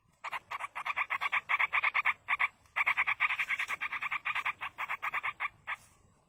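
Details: Wild Yellow-vented bulbul nestlings begging while being fed by a parent, giving a long, fast, nearly continuous series of short raspy notes with only one brief break, intense throughout.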